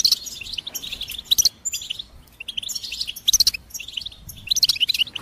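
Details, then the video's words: Goldfinch singing: bursts of rapid, bright twittering and tinkling notes high in pitch, in three main phrases separated by short pauses, with sharp chirps mixed in; clean background with no other sounds. "Experience the Goldfinch Singing"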